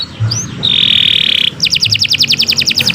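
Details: Canary in full continuous song, meant as a tutor recording for other birds: short rising whistles, a sustained buzzy flat note lasting about a second, then a rapid chattering trill of bright pulses.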